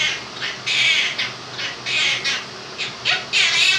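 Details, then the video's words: Home-kept two-year-old Quaker parrot voicing 'If You're Happy and You Know It', with a fan running. Drawn-out, grating, speech-like phrases run almost continuously, some with a rising inflection. "the Quaker Parrot sings 'Happy And You Know It'"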